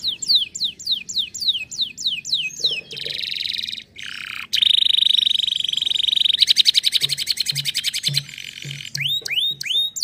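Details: Canary singing a varied song: a run of rapid, repeated down-slurred whistles, then a long buzzy trill, a fast pulsed rattle and more sweeping notes, with faint low thumps in the background.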